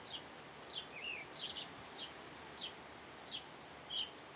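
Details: House sparrow singing: a string of about eight short, bright chirps, each dropping slightly in pitch, spaced unevenly roughly every half second over a steady faint background hiss.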